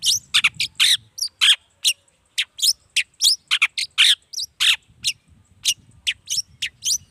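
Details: Long-tailed shrike singing vigorously, a lure to get other shrikes calling at morning, midday or evening; rapid, varied stream of harsh chips, rasps and thin whistles packed closely together.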